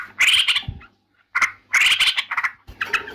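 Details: Yellow-vented bulbul singing in loud, harsh, bubbly bursts with chattering notes, phrases broken by short silences.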